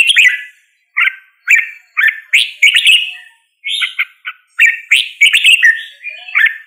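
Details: Singing red-whiskered bulbul giving short, bubbly whistled phrases, each a quick cluster of chirpy notes, separated by brief silences and repeated about every two to three seconds.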